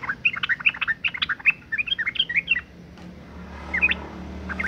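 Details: Female yellow-vented bulbul in breeding condition calling to males, used as a lure to make males sing: quick bursts of bubbly, chirping notes for about two seconds, a pause, then a few more scattered chirps over low background rumble.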